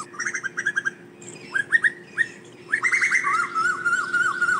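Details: Asian koel calling to the flock: scattered short chirped notes, then a rushing bubbling run that settles into a long wavering trill, with a low steady hum behind.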